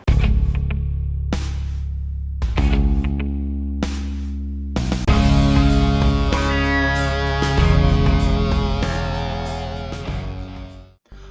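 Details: Only heavy electric guitar music with strummed chords and a driving low end; no animal sounds.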